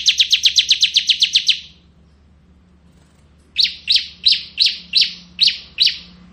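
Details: Bar-winged prinia (ciblek kristal) with a fast ngebren run of about ten high chips, a silence, then seven slower, spaced chips repeated roughly every third of a second.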